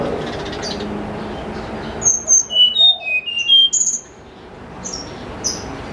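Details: Snowy-browed flycatcher singing in the morning, used as a lure, in a clear, flute-like style: a quick phrase of thin, high whistled notes stepping downward, then a few faint high notes against a quiet background.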